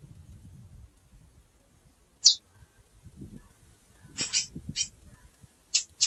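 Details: Calling female chestnut-bellied seed finch: one high chip, then after a pause a quick cluster of sharp chirps and two more near the end, with faint low rustling.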